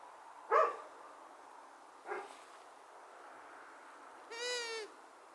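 Long-eared Owl, female: two short harsh notes, then a drawn-out, nasal, slightly wavering call about half a second long.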